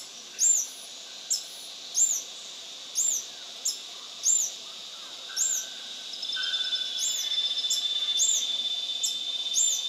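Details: Scale-throated Hermit, subspecies eurynome, a lekking male singing at Intervales, Brazil, 29 December 2019. Sharp, high-pitched arched squeaks come in a rapid series for ten seconds. A steady insect-like buzz rises partway through and continues beneath the notes.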